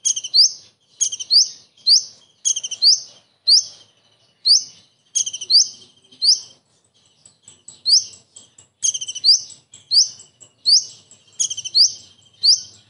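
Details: Common iora imitating a kingfisher in sustained song, high rising whistles and fast chattering chip series repeated steadily, with a softer stretch in the middle.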